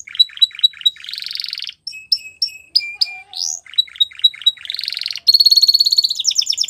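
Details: Canary training song mixing staccato chirps, buzzy rolled tours, a rising whistled slur and a low soft note, closing with a high, fast, even trill.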